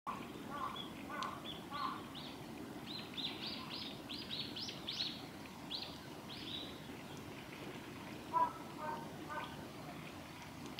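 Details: Varied tit in snow at Gongenyama Bird Sanctuary, Japan, on 31 December 2021, giving a loose series of short, thin high notes with a few lower chirps mixed in, over a steady background hiss.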